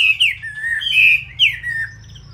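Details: Caged Chinese hwamei kept as a loud-singing fighting bird: a rapid run of rich, slurred warbled phrases, notes sweeping up and down and tumbling into each other, over a faint low room hum.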